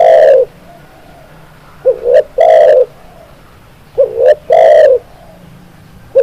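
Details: Spotted dove cooing on a recording meant to train birds to sing readily. Each phrase is a soft, bubbling two-part lead-in followed by a drawn-out mellow coo. Three phrases arrive about two seconds apart over a quiet background.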